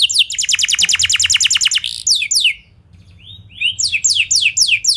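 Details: Canary singing to make other canaries answer: a very rapid trill of descending notes, a couple of rising swoops, a quiet gap with soft slurred notes, then spaced falling notes again.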